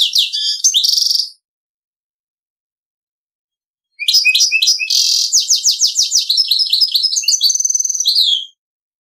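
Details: Servati-style song of a goldfinch-canary hybrid: a brief twittered opening, a pause, then a long phrase of clipped chips, buzzy rolls and fast repeated trills finishing with a downward slurred note.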